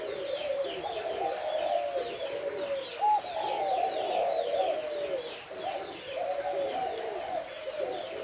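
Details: Five-note coo of a spotted dove, the hậu 2 style, recorded 3 August; soft, throaty phrases of rolling notes repeat in a continuous sequence, while small birds twitter high in the background.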